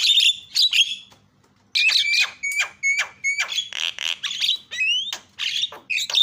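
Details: Starling calling as a lure for other birds: loud scratchy chattering bursts interleaved with short whistled notes and sharp clicks, with one short pause near the start.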